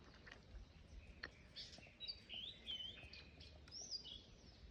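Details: Blue-and-white flycatcher singing at Hachiman Falls in the Rokko mountains on 8 April 2026: a run of clear, high whistled notes, some sliding up and down, delivered in quick succession over a steady rushing background.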